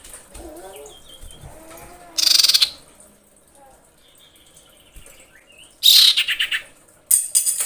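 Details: Female common iora in breeding condition calling a male. Loud bursts of rapid pulsed chatter come every few seconds, with soft whistled notes and faint murmuring in the gaps.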